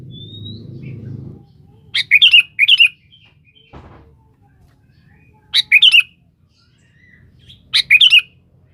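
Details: Sooty-headed bulbul singing energetically to call a rival, used as a lure: short, bright, bubbly chirped phrases of a few quick notes, heard in three bursts, over a low rumble at the start and a brief click mid-way.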